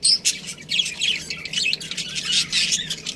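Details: Budgerigar chirping in a quick, busy stream of high, scratchy tweets and short warbled notes, barely pausing over three seconds, with a faint low hum underneath.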